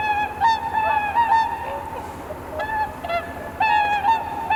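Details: At daybreak on Kotoku-numa pond in Japan, swans give a steady series of strong, nasal bugling honks, some doubled, echoing over the water in the blue hour, with light wind noise underneath.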